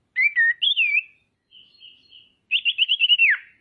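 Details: Female common iora used to stir rivals into calling: short whistled notes and a warbled slur, a soft quiet passage, then a fast rippling trill ending in a steep downward sweep.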